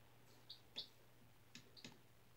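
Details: Young domestic chick, four days old, kept indoors on new bedding after hatching in a school incubator on April 17; a few short high cheeps mixed with dry clicks and light rustling from the bedding.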